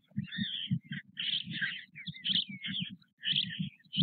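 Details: White stork chicks begging at the nest while parents feed them, Nové Mlýny, 6 May 2024, with feeding about every half hour. Rapid low pulsed grunting bursts run throughout, overlaid by higher scratchy, wheezy squeals that break off in short gaps.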